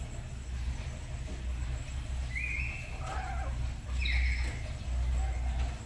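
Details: Two pet black-capped lories at home in the morning, practising calls as a duet, give a few brief shrill, slurred whistles, some rising and some falling, spaced over several seconds above a steady low rumbling hum.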